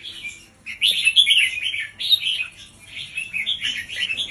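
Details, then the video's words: Caged red-whiskered bulbul, a teacher bird used to train young birds, sings a doubled song delivered slowly with clear gaps: bright warbled phrases rising and falling, in bursts of about a second separated by short pauses. "สุดยอดนกครูเบิ้ลเพลง 3 อาชีพ เบิ้ลช้าๆ เบิ้ลเว้นช่องไฟชัดเจน เปิดสอนลูกนก"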